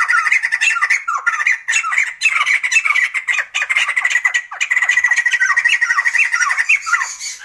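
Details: Sumatran laughingthrush giving a loud, busy chattering song: rapid squawky notes and downslurred whistles tumbling over one another almost without pause, bright and harsh, like excited laughter, with no other sounds clear.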